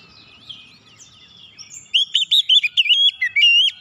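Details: Magpie-robin singing as a lure to prompt other birds: faint twittering at first, then from about two seconds a rapid, loud series of short whistled notes, bouncing up and down in pitch.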